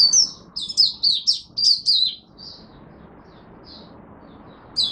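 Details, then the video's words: High, sweet Oriental white-eye song from a caged bird in Singapore on a humid, rainy, overcast March 2023 day: a tumbling two-second string of slurred, downward-bending chirps, then a pause with scattered soft notes. "Singapore Mata Puteh Buka Sing"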